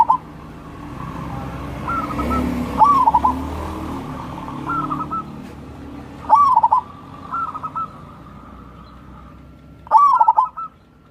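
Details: Local wild zebra dove singing crossing-style song, played to prompt lazy doves to sing: roughly six bubbling coo phrases, loud stuttered bursts alternating with softer trills, over low background noise.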